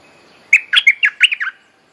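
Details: Bulbul mate-calling song, played as a lure for training young birds: a lively run of about seven bubbly, warbled notes delivered rapidly over one second, each note slightly sliding, with a clean quiet background.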